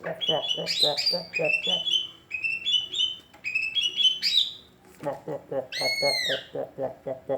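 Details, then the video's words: Greater green leafbird with an unusual voice: quick bright whistled notes over a steady, low, throbbing pulse. After a pause comes a long arched whistle, and the low pulsing carries on beneath. "Cucak ijo suara aneh tapi ngetrend"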